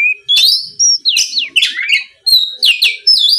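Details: Oriental magpie-robin in full, lively song used as a lure to provoke a rival into answering: loud whistled notes sliding up and down between bursts of harsh, buzzy chatter, phrases following each other quickly with brief gaps.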